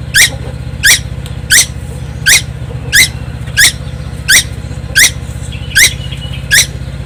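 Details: Nonstop song of a young tuwu bird on Timor Island: ten rasping, downslurred notes at a steady rhythm, with a continuous low hum in the background.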